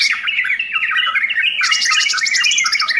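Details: Full song of a sooty-headed bulbul: warbled, dipping phrases at first, then a burst of rapid chattering notes from about halfway, steady and loud throughout, recorded indoors.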